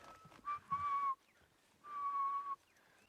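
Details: Grey-headed bushshrike, called "ghost bird" (spookvoël), in a bird party on a Sabi Sands morning safari drive, 16 July 2016: long, mournful, level whistles, each dropping slightly at the end, over faint rustling and low knocks.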